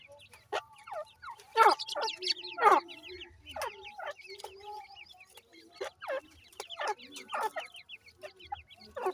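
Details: Reared francolin chicks during feeding with grain and water give short, sharply falling chirps, several overlapping, bursts roughly every second, with some louder clusters near the middle and faint low background hum.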